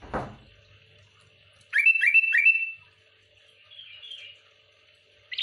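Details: A lively sooty-headed bulbul pressing rivals with dense song. A dull thump comes first, then three quick bright whistled notes in a row, followed by a softer, fluttering warble.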